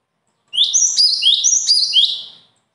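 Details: A bird pours out a two-second phrase of four repeated units, each a quick rising then falling high whistle, before fading into silence.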